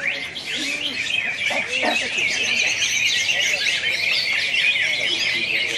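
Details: Competition singing by greater green leafbirds, cucak hijau, at a Pontianak, West Kalimantan contest on 3 April 2016: continuous busy high warbling with quick rising and falling whistles, brief low human voices early on.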